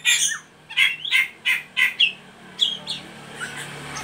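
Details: Oriental magpie-robin giving ngeriwik calls, used to lure and stimulate young birds to sing: a rapid series of harsh, bright chattering notes about every third of a second, then softer scattered whistled chirps near the end.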